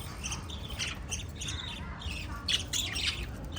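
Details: Five pet lovebirds chirping in quick, overlapping bursts of shrill, scratchy notes, several calls a second, with a low background rumble.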